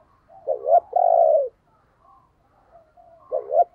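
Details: Owned decoy spotted dove used to goad wild doves into cooing. One full phrase of a hoarse double note plus a long falling coo, then faint soft notes, and a new double note starting at the end.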